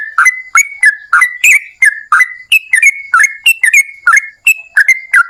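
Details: Yellow-vented bulbul in lively, long-rolling song used to lure other bulbuls into singing: a steady run of bubbly, liquid whistled notes about three per second, each a short sharp onset sliding into a mellow warble.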